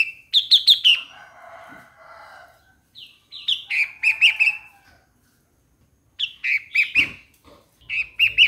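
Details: Streak-eared Bulbul repeating brisk chirping phrases about every two seconds, one followed by a softer, hoarse lower sound.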